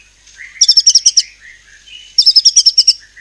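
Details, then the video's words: White-rumped shama singing 'nembak cungkok cililin', a song said to stir other birds to sing: two rapid strings of about eight piercing high notes, separated by a soft low warble. "Murai Batu Nembak Cungkok Cililin ini AMPUH Memancing Burung Lain Jadi GACOR"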